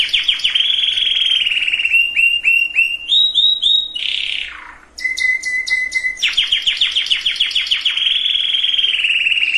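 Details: Canary singing to condition males and females for breeding, a varied run of tours: fast rolling trills, repeated upward slurs, a falling rasp, a pure sustained tone, then another rapid rattling trill.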